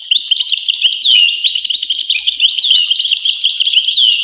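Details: European goldfinch singing a continuous, fast twittering song of high liquid notes, with tinkling chirps and quick downslurred whistles running without a break.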